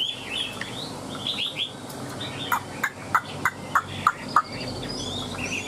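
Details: A caged Chinese hwamei giving its tail-spread, wing-flicking display opens with short whistled phrases, then drops into a regular sequence of sharp percussive clicks, about three a second, before faint whistling resumes.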